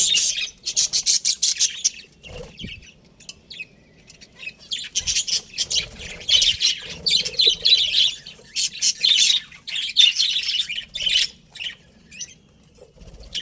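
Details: Pet budgies in busy chatter: loud bursts of harsh, buzzy twittering and squawky notes, with a short quieter gap near the start before the chattering resumes steadily.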